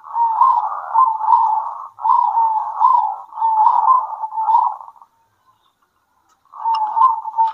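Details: Midday duet of local zebra doves answering each other: long, loud runs of rapid rolling coos in repeated phrases, a short silence, then another phrase begins.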